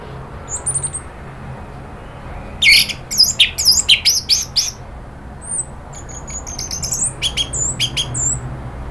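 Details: Orange-headed thrush provoked into agitated, rapid chattering (nratak) leading into loud full song (ngeplong). High thin chirps open, then a fast burst of about eight harsh, buzzy notes, followed by sharp clicks and high whistled notes over a low steady hum.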